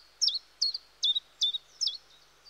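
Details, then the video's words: A common chiffchaff sings its steady chiff-chaff song: five sharp, high notes, each dipping slightly, spaced about every 0.4 seconds over a faint background hiss. "Charming Chiffchaff(Phylloscopus Collybita)Melodies"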